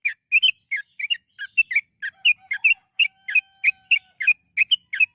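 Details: Long, fast song of a yellow-vented bulbul played as a lure to make birds sing; lively run of bubbly chirps, some doubled, about eighteen in all, with faint thin whistles underneath.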